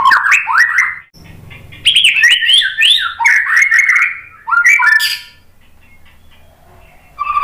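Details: Provoking song of a White-rumped shama, meant to make other shamas answer: loud, rich, rapidly changing whistled phrases with sweeping rising and falling notes, separated by short pauses and ending with a brief whistle.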